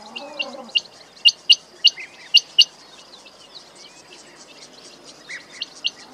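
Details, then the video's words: Quail calling in quick clusters of sharp high chirps, several close together and then spaced out, with soft lower warbling notes at the start and faint hiss throughout. "Звуки перепілки❇️Quail sounds"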